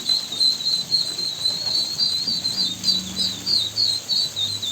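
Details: Ducklings giving a steady stream of high, thin peeps, overlapping and repeated several times a second, with a faint low hum underneath.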